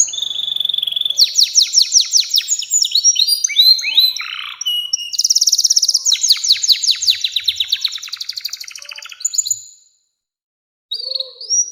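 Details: Canary, 'nembak panjang' long song used as a lure for young canaries: dense high trills and rattling rolls interleaved with falling whistled notes for nearly ten seconds, a pause, then a brief whistle returns.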